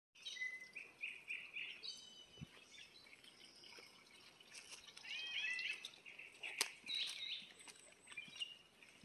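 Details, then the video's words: Unidentified wild bird singing outdoors: varied bright phrases of short whistled notes and quick warbled trills, repeated in bursts with pauses, over soft background noise. "이름모를 새소리"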